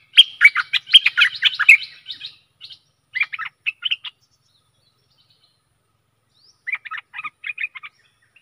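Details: Stripe-throated bulbul used as a decoy for fierce wild birds, recorded 12/12/2021: an opening rush of dense bubbly chatter, followed by shorter, sparser phrases of clear warbled notes after pauses.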